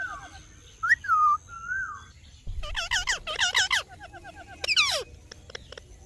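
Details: Green ring-neck parrot mimicking speech with drawn-out whistled glides, then a quick string of looping, wavering syllables and a final harsh squawk, after a low thump.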